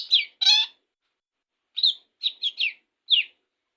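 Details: Long-tailed shrike bursting into song after a morning bath: two loud harsh notes, a silent gap, then a short series of clipped, descending chirps.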